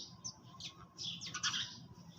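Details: A quick flurry of overlapping sparrow chirps, rising into a dense cluster near the end, from birds eating their food early in the morning; a soft hum lies beneath.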